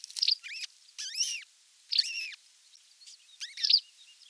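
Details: Nesting osprey on 27 June 2022, with a whole fish delivered for dinner: four or five strident whistled calls in quick succession, each arching up and dropping, mixed with clipped high chirps about every second.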